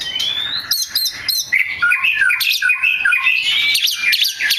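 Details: Oriental magpie-robin in full song, meant to provoke other magpie-robins into singing; a rising whistle opens into rapid varied whistled phrases and trills, dense and unbroken.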